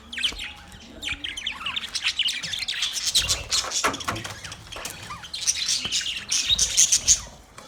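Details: Budgerigars kept in a large cage chirp together, a busy overlapping twitter of rapid high notes and short warbles, louder bursts near the end.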